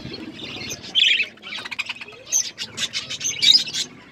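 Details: Budgies eating food chirp in scattered high squeaks and trills, first softer then a run of sharp rapid notes, over low rustling.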